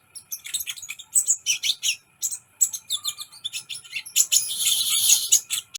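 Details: Fast, jumbled sunbird song of thin high tweets and twittering notes, rising into a loud continuous buzzy trill for the final second and a half.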